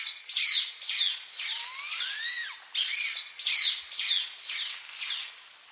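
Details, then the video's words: Blood pheasant (Ithaginis cruentus) calling and singing: a run of harsh, high squealing notes about every half second, broken midway by a longer, lower whistle that rises then drops. "Blood pheasant (Ithaginis cruentus) call and song"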